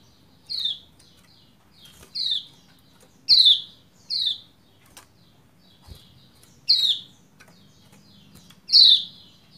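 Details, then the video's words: Calls of a female Lombok white-eye, used to coax a male into singing: six or seven thin, high, down-slurred chirps spaced roughly a second apart, some soft clicks in between. "Ciak Ciak Pleci Lombok Betina Memanggil Jantan Supaya Cepat Gacor"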